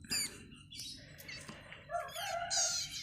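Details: Young Bar-winged prinia (Prinia familiaris) chicks, nearly ready to feed themselves, compete while being hand-fed, giving thin, high, rapid overlapping begging squeaks and a few lower nasal notes, with some handling noise.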